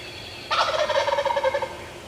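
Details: Longbeard gobbler, an adult male Wild Turkey heard from five yards on April 14th 2024: a sudden harsh gobble bursts in and rolls on as a fast throaty rattle for over a second before fading.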